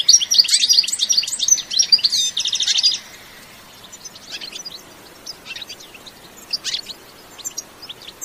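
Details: European goldfinch in natural sound, no effects added, giving a bitbita-style song: three seconds of loud, rapid twittering with a rattling buzzy trill, then faint, scattered high chirps over quiet background hiss.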